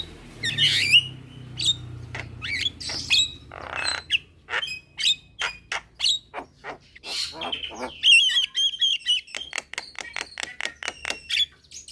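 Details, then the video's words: Javan myna youngster calling to other mynas in the daytime as they answer: scratchy squawks and whistles, then a fast regular train of clicks in the second half. "Jalak Kebo Muda Memanggil Teman Bikin Semua Jalak Nyaut"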